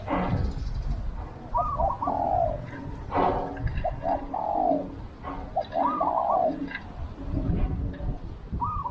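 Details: A decoy spotted dove luring wild doves repeats soft coo phrases, each a short stutter followed by a longer descending note, about three times over nine seconds, with clicks and low rumbling noise.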